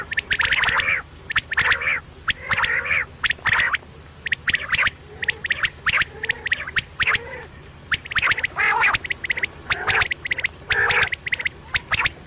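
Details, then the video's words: Quail heard at night giving a long series of harsh, chattering notes with sharp clicking ticks, in dense bursts roughly every second with short pauses. "Quail sound batair ki awaz"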